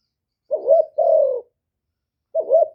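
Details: Spotted dove used as a decoy for luring wild birds gives one full two-part coo, a brief note then a drawn-out level coo, and after a pause starts another phrase.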